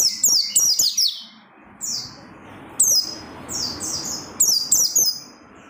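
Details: Oriental white-eye in ardent song to rouse other white-eyes: repeated phrases of high, fast, downward-sweeping chirps in clusters, with a soft background hiss between phrases.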